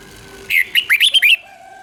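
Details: Thai red-whiskered bulbul song for training and exciting caged birds: one short, lively phrase of five or six quick whistled notes, bright and slurred, over a faint steady hum.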